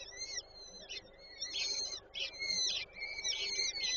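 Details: Peregrine falcon nest in Warszawa Żerań, Poland, 8 May 2023, female feeding chicks: loud, harsh, wailing calls in bursts of about half a second, rough and buzzy with strong overtones, repeated with brief gaps.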